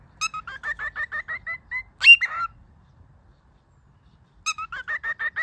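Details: Pet cockatiel singing while teaching another cockatiel to sing and talk: quick runs of short whistled notes, about eight per second, a louder rising squawk-like note at two seconds, a pause, then the fast whistled run resumes.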